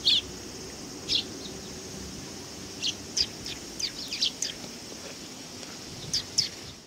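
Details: Sparrows come to be fed at a Tenmangu shrine, 18 August 2020: sporadic brief high chirps, sometimes in loose clusters of three or four, separated by quiet spells over a steady low ambient hum.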